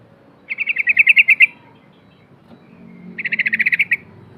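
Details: Two rapid runs of clipped, repeated chirps from a Yellow-vented bulbul lure track, each run about a second long with notes accelerating slightly, over a low murmur of background noise.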